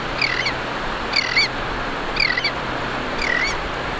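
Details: A tern in Florida gives four harsh, grating calls, each bending down at the end, about one a second, over the steady hiss of shallow waves.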